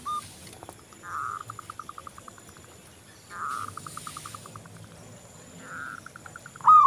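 Zebra dove song: three soft cooing phrases, each a drawn-out note breaking into a quick run of staccato coos, repeated about every two and a half seconds.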